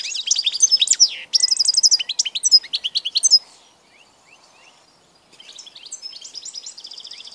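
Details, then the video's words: European goldfinch, 16 March 2014, delivering a loud burst of rapid chirping trills and twitters, then a quiet gap and softer, more distant twittering at the end. "grdelin, chardonneret,goldfinches,el jilguero"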